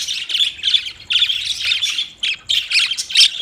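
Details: Budgies giving a fast run of scratchy, buzzy squawks and chirps in short clusters, each burst high and grating, with small pauses between groups.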